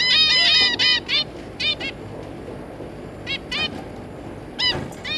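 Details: Zebra finches, a pair of parents with their three juveniles, giving short nasal honking calls with stacked harmonics in quick clustered bursts, several birds overlapping, then sparser single calls over a low background hum.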